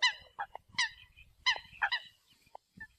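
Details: Eurasian coot calling the flock: a few loud, nasal, honking notes given singly and in pairs with short gaps, then fainter clipped calls near the end, in otherwise quiet surroundings.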